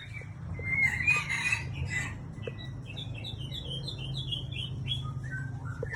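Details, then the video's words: Aceh-type white-rumped shama: a few louder chirps, then a rapid series of short high notes repeated several times a second, over a constant low rumble. "Murai Aceh"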